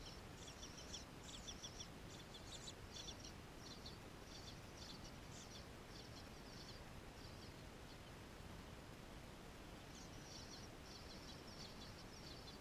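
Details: Bluebirds feeding nestlings: bursts of thin, high chirps in quick clusters over roughly eight seconds, a pause, then another burst near the end, over steady low background hiss.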